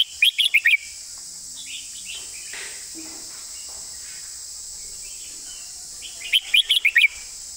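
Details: Two bursts of bright, rapid whistled notes from a red-whiskered bulbul in 'master song' style, one at the start and one near the end, separated by several seconds of quiet hiss and faint distant chirps.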